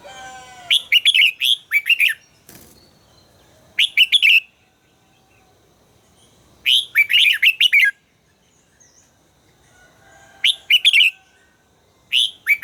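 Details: Red-whiskered bulbul being trained to sing, delivering four bursts of quick, bright, slurred notes, each a tight cluster of three to five syllables, with pauses of about two seconds between them.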